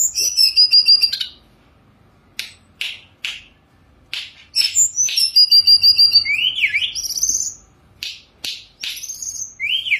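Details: Sunda robin (tledekan gunung) song, high whistled phrases and sharp separate chips spread over ten seconds, with rising swoops and a busy warbled passage in the middle.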